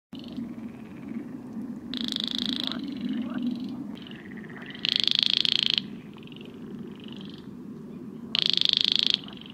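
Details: Baillon's Crake calling in a wetland, a nocturnal species heard on calm late spring and summer nights; three dry, frog-like rattles about three seconds apart, each under a second long, over a steady low background hum.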